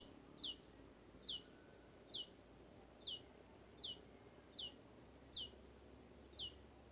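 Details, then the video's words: Olive-backed tailorbird (prenjak lumut), described as caught and singing vigorously; high, sharp, downward-sweeping notes repeated about every 0.8 seconds, eight in seven seconds, over a steady low background hum. "burung prenjak lumut gacor"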